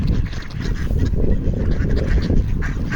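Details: Ducks begging for food on a frozen Toronto pond give scattered harsh quacks, a burst near the middle and louder honking notes toward the end, all under a strong low-pitched wind rumble.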